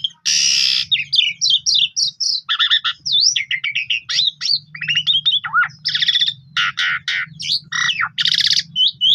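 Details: Pundung Asian pied starling singing as a lure for birds that have stopped singing, a dense jumble of grating buzzes, chattering notes and looping whistles, steady low hum in the background.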